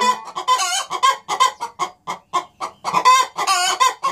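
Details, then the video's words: Pair of hens in a nest box calling in a duet, overlapping loud clucks with several long harsh drawn-out squawks woven between the short rhythmic notes. "Cackling duet - two musical hens singing on the nest box"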